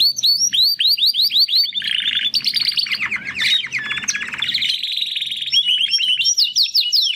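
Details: Two young male Timbrado canary brothers, hatched in the second breeding of 2020, make their first song attempts after their first molt: continuous varied rolling trills, quick chirps and sliding high whistles; finding: Belgian canary.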